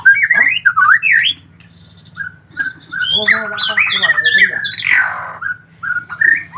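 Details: Collared kingfisher chicks calling loudly at close range: harsh, rasping squawks that rise and fall, given in bursts, with a dense chattering run in the middle and a low steady hum underneath.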